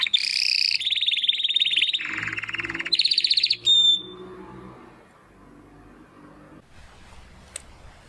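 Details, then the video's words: Training song of a Belgian canary for young and adult birds: rich buzzy rolling trills shifting between several pitch levels, ending in a short clear whistle, followed by several seconds of near quiet with faint low background hum. "CANTO DO CANÁRIO BELGA TREINAMENTO"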